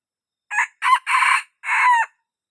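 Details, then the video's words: Rooster crowing, described as a young cockerel with a good crow: four harsh broken segments over about a second and a half, the last long and drawn out with a falling tail, in otherwise silent surroundings. "Suab qaib qug qua zoo"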